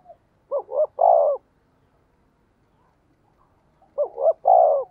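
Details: Spotted dove used as a decoy bird, giving its luring coo. The deep hooting phrase comes twice about three seconds apart, each time as two quick short notes then a longer, fuller coo, with quiet between.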